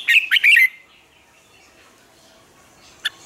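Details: A quick burst of three bright, warbled notes from a red-whiskered bulbul singing in the morning, then quiet and one lone sharp chirp near the end.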